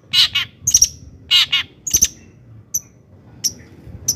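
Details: Brief long-tailed shrike song, meant as a lure to excite other shrikes: paired harsh rasping notes at the start, followed by thin, high, sharp notes fading out at intervals.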